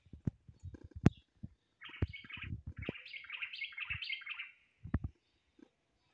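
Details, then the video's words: Common blackbird song in two linked bursts of quick undulating warbled notes over about three seconds, with knocking and tapping sounds around them. "تغريدة طائر الشحرور"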